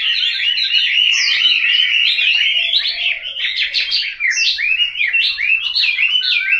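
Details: Home-kept Chinese hwamei in Hanoi, Vietnam, singing a loud, continuous run of rich, varied whistled phrases with rapid slurred rising and falling notes, barely pausing throughout.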